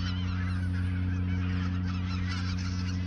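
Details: Autumn geese in the Ochsenmoor reserve shortly before their southward migration; a dense chorus of honks repeats rapidly and irregularly against a loud low-pitched drone.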